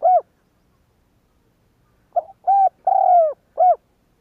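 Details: Spotted dove (cu gáy) lure recording meant to make other doves coo: the tail of one phrase, a pause, then a full phrase of a short note and three soft hooting coos, the middle one long and sliding downward.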